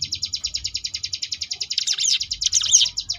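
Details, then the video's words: Training song of a Sunda bush warbler in ngebrem style: an even, high-pitched pulsed rattle for about two seconds, then louder sweeping whistles tumbling over the trill before it resumes. "cigun ngebrem variasi"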